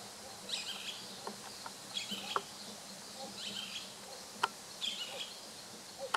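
A boat-billed flycatcher gives harsh, buzzy, nasal bursts about every one and a half seconds, with scattered clicks and a faint background hum.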